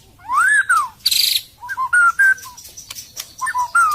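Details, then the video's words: White-rumped shama song used as a lure: loud whistled notes, an arched rising-and-falling whistle, a buzzy burst, then varied short whistled phrases around a steady mid pitch. "SUARA BURUNG MURAI PIKAT 2022"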